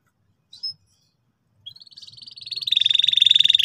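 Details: Canary in forceful song to help young canaries learn the ngeriwik trill: one brief high chirp, then a pulsed trill that builds steadily louder and faster over two seconds.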